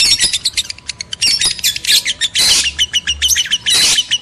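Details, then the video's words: Breeding-stimulation calls of lovebirds, male and female: piercing squawks and trilled chirps in short clustered bursts, two loud raspy screeches standing out toward the end. "PANCINGAN JEBOL BIRAHI BUNYI, BIKIN EMOSI LOVEBIRD JANTAN DAN BETINA"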